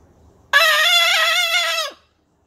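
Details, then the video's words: Blue-and-gold macaw playing with its owner indoors, giving one loud, harsh, drawn-out squawk of about a second and a half, rich in overtones and steady in pitch before it drops off at the end. "Macaw, talking laughing and playing. Harry the blue and gold macaw"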